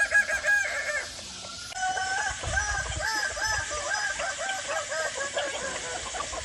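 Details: Kukuak Balenggek chicken, a Minangkabau breed with a stepped, melodious crow, delivering a long run of rapid repeated wavering notes over a faint background hiss.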